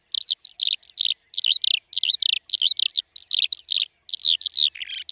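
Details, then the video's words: A Eurasian skylark sings a fast, unbroken stream of high, warbling, chirruping notes, several short phrases every second, with nothing else heard. "Kiurun / Leivon laulua | Skylark Singing"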